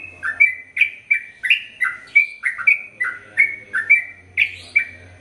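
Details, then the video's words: Sooty-headed bulbul giving a fast 'ropel panjang' song, meant for tutoring male and female birds: lively whistled phrases of falling double notes, repeated in quick, steady succession. "Trucukan Gacor ROPEL PANJANG"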